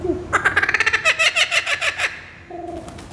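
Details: Kookaburra calling: a rapid, rhythmic run of harsh chuckling notes lasting about two seconds, swelling then trailing off, followed by a brief low tonal sound near the end.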